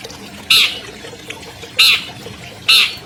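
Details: Three loud, rasping squawks roughly a second apart from an albino long-tailed shrike, a 2020 champion bird in a recording meant to lure silent shrikes into singing.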